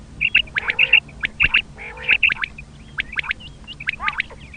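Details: Quail sounds for hunting: crisp high double notes repeated in a quick, uneven series, broken by a few harsher nasal calls lower down, over a constant low hum.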